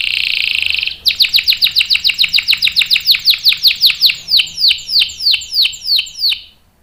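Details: Canary in full voice, long roll for use as a lure and tutor: a loud buzzy opening, then a string of sharp downslurred notes that gradually slows and fades.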